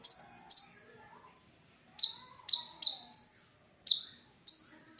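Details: Konin, a sunbird, singing in an original recording made as masteran to train other songbirds: sharp, high, buzzy notes, each a steep downward sweep, repeated at irregular gaps of about half a second to one second, with faint lower chatter beneath.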